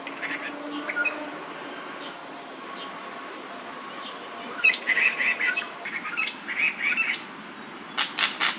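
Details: Two male crested goshawks in Daan Forest Park on 30 September 2022, calling at each other in a territorial dispute; a quiet start, then a burst of sharp, harsh notes about half a second apart over background hiss.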